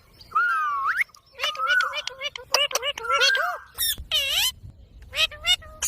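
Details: Green pet parrot speaking in word-like phrases, with tonal syllables bending upward and downward, then loud squawky harmonic bursts near the end, against light background rumble.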